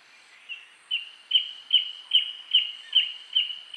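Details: Red-stained Woodpecker in Tambopata, Peru, giving a steady series of sharp, high notes, about eight in under four seconds, over soft background hiss; heard during a birding identification challenge.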